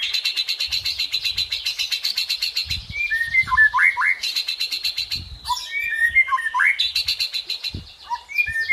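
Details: White-rumped shama singing a tembakan and isian style song: fast runs of rapidly repeated sharp notes, about four a second, broken by clear whistled slurs that rise and fall.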